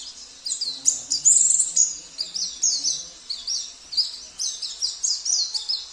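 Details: High-pitched, rapidly repeated twittering song of a Sambas oriental white-eye whose song includes borrowed canary, cililin, kapas tembak and jenggot phrases. Short downslurred notes come in quick bursts, with a few fainter low sounds beneath.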